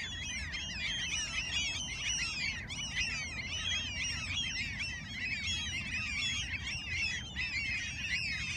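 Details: Gulls in Alaska calling together: a dense, continuous chorus of overlapping harsh, sliding cries from many birds, with a steady low rumble underneath throughout.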